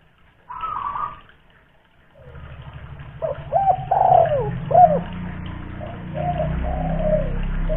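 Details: Spotted dove, a local tekukur from Kuningan, West Java, kept as a loud-voiced lure bird. After a brief early coo and a pause, low arched cooing notes follow, amid a steady low hum.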